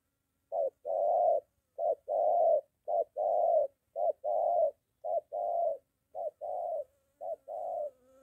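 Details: Spotted dove from Gia Lai, Vietnam, a decoy in moult during practice near home with a wild dove close: rhythmic short-then-long coo pairs about once per second, with a faint thin whine near the end.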